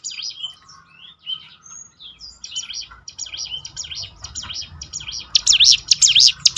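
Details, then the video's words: Bar-winged prinia, recorded as a training track to make birds sing more often: scattered thin high whistles and short chirps at first, then a loud burst of rapid, rising-and-falling zigzag notes near the end. "ciblek gunung mana yang gak tergoda ikut berbunyi"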